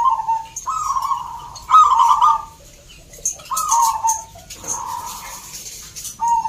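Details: At a local zebra dove singing contest in Salatiga, Central Java, several caged birds trade soft, purring coo phrases, each about a second long and falling slightly at the end, separated by brief pauses.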